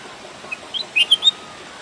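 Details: Red-whiskered bulbul song: a brief phrase of quick, clear whistled notes rising and falling, a few soft chirps leading into three louder liquid notes, with faint background hiss.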